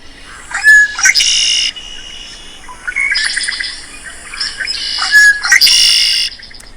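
Red-winged Blackbird giving its song twice: a few short clicking notes, then a loud, buzzy, rasping trill held for about half a second. Other faint bird notes sound between.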